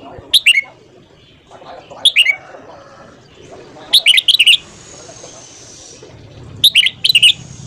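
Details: Red-whiskered bulbul singing in the morning. Four short, loud phrases of quick, twisting whistles come at irregular intervals, some clipped to two notes and others longer chattering runs, over a soft low rumble.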